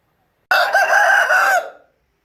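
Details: An Aseel rooster crows once, a loud, hoarse, sustained call of about one second that trails off at the end, against silence.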